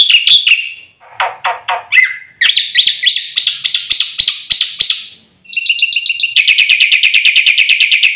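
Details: Black-winged myna (white starling) song for luring and tutoring: a varied medley of slurred whistles, lower rasping bursts and harsh chatter, ending in a fast, dense, even series of high metallic notes.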